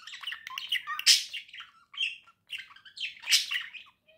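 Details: Cheerful warbling of two domestic budgerigars: busy chattering stream of squawky, buzzy notes and whistles with a loud harsh squeak, then another burst of dense chatter.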